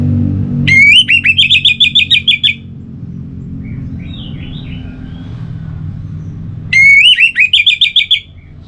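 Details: Orange-headed thrush singing a relaxed song: two loud bursts of rapid, repeated whistled notes, each rising sharply, then trilling in a quick series for about two seconds, with soft chirps between and low rumbling in the background.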